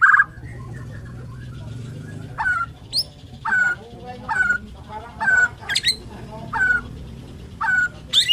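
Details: Borneo white-rumped shama singing in the morning: short sharp whistled notes repeated about once a second, some with a higher squeaky flourish, against a steady low rumble.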